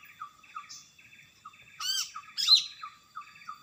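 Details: Greater green leafbird singing vigorously in its natural habitat: two loud, bright, strongly inflected phrases, one swooping, one sharply whistled, set against a steady series of soft, falling chirps.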